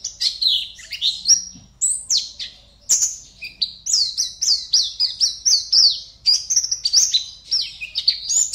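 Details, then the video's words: Competition Oriental white-eye from Pontianak, Indonesia, singing a lively high series of sharp chirps and downslurred whistles, starting hesitantly, then settling into a steady rapid run of repeated notes. "LOMBA PLECI ONLINE 52 - Aksi Pleci"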